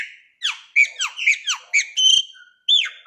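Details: Caged chopi blackbird (graúna) singing to stimulate a pet bird: loud, repeated downward-slurred whistles and sharp chirps in quick bursts, with a few short pauses and no other clear sounds.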